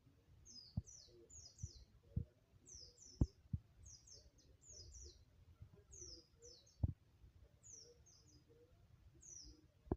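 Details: White-eye learning to sing: repeated short groups of very high, thin descending twittering notes, two or three phrases per group, with scattered low knocks and thumps between them.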